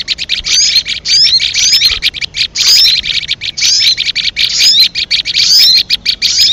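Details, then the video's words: Trapping lure call of a leafbird, a continuous high-pitched twittering chatter of quick clipped notes broken by short pauses, with thin rising and falling whistled slurs woven through. "suara pikat sogon paling ampuh"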